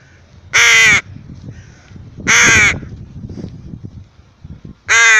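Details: A pet rook named Ricky, about to go for a walk, gives three loud, hoarse, grating caws at uneven intervals, each about half a second long, over a low background rumble.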